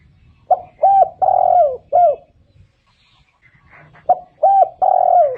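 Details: Spotted dove cooing: a full four-note phrase of short, short, long descending and short coos, a pause of about two seconds, then a second phrase that breaks off after its long note. A low background rumble is present.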